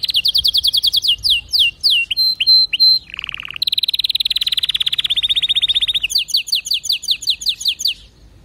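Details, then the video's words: Canary singing a loud, continuous song: rapid high trills, rows of quick downslurred notes, a short lower buzzy roll, then a long fast rattle before sharp repeated chip-like notes return. "اذا كناريك ما تغير في ضرف دقيقة اطلقو وبلاش تربي كناري"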